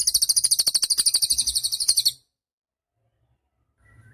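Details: Cililin song meant as a tutor for songbirds: a shrill, rapid trill of even, buzzy pulses lasting about two seconds, then near silence with faint low noise.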